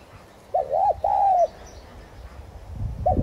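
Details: Thúc gù coo from a decoy spotted dove, Streptopelia chinensis tigrina, meant to trigger singing: one phrase of two quick notes and a long drawn coo, then the first note of the next as rustling rises.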